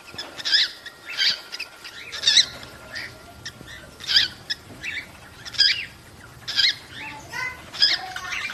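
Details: Mating-call sounds of cockatiels, meant to prompt breeding: repeated rasping chirps about every second, some with short rising whistled notes, over faint background hiss.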